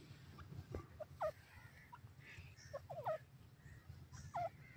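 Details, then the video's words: Female grey francolin, the dakhni teetar, giving quiet wavering chirps that bend downward. They come in small clusters roughly every one and a half seconds over a low, steady rumble of background noise. "female grey francolin sound, dakhni teetar"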